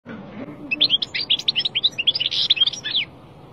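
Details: European goldfinch, a young bird five months old, singing a fast, continuous twitter of high tinkling, buzzy and slurred notes for about two seconds, with a faint low hum beneath.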